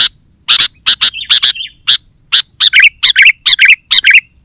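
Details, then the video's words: Energetic sooty-headed bulbul song meant to rouse other bulbuls and call wild birds: rapid series of rasping chip notes, several in close pairs, with clearer warbled whistles woven into later phrases. "Suara Burung KUTILANG GACOR, 100% Ampuh Bikin Burung Kutilang Lain Emosi dan Ikut Gacor"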